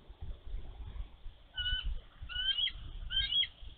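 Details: Bald eagle mother protecting her egg from a nearby young eagle at a snowy Minnesota nest in March 2023, uttering three thin, high whistled calls, each slightly rising with a trailing chip, about one a second; soft wind behind.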